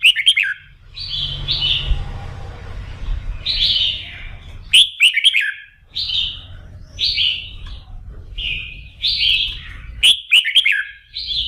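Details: A red-whiskered bulbul sings bright, bubbly whistled phrases in a morning voice-practice session meant to fire it up for singing competition, a few every couple of seconds, some with sharp rising notes, over a low background hum.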